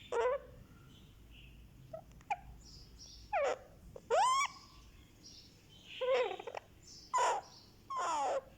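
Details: Indian ringneck parakeet chick aged one month, head being massaged, gives spaced squeaky calls with upward sweeps and a few harsher rasping notes, with faint clicks between them indoors.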